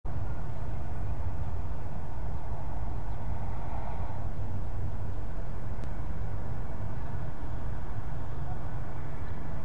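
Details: Steady low engine and road rumble from passing vehicles fills the recording throughout, with no animal voices.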